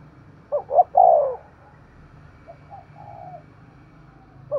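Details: Thúc gù cooing from a spotted dove over a soft low background hum. Two short notes and a loud falling coo are followed by fainter, distant-sounding coos.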